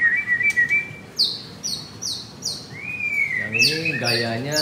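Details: Caged white-rumped shama at a Jakarta bird shop: a long steady whistle, then a run of short high repeated notes about twice a second, a rising slur, and a man speaking toward the end.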